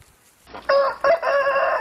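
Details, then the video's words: Rooster crowing: a lower-pitched, hoarse crow that starts after a brief quiet spell and runs in broken, strained phrases to the end of the recording. "ROOSTER CROWING"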